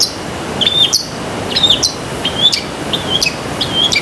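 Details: A long-tailed shrike in full song, used for training pet birds. A clear high whistle slurs into a sharp rising squeak, repeated irregularly about five times, with a soft steady rumble underneath.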